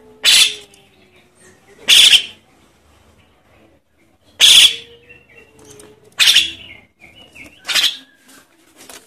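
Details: Javan myna nestling begging, used as a lure for adult mynas: five coarse, noisy screeches at irregular gaps of one to two seconds, with soft clicks and faint low hum between them.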